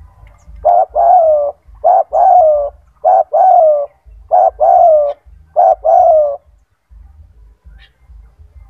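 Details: Loud, frequently singing kept spotted dove used as a master for other doves: five evenly spaced low cooing phrases, each a quick note plus a longer descending coo, then quiet, with low-frequency hum throughout.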